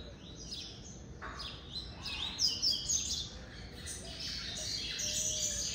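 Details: A captive double-collared seedeater, kept caged beside other males to get used to singing together, sings little: a fast run of sharp, high chirps and short trilled phrases, with other caged birds chirping nearby and faint room noise.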